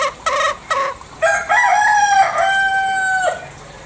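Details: Bali green junglefowl: three short clucks lead into a longer crow, a rough rising note that flattens into a sustained, thin, steady tone before breaking off.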